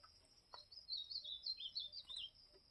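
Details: An ultramarine grosbeak delivers a campeada song, a sweet, high warbled phrase of about eight slurred, up-and-down notes lasting around a second and a half, over quiet background.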